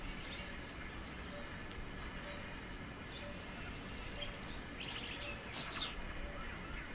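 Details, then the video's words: Blue-black grassquit in the wild giving one brief, sharp buzzy note that drops steeply in pitch near the end, with soft insect chirping and distant bird calls in the background. "SÓ OS TIZIU MAIS TOP CANTANDO MUITO NA NATUREZA"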